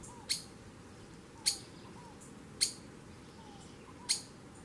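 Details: A streaked flycatcher gives four sharp, piercing high notes, a little over a second apart, over a faint hiss with soft low chirps in between.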